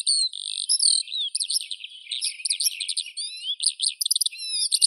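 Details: Skylark song: a fast, varied torrent of high twittering notes, buzzy phrases and sharp repeated chips, run together without pause.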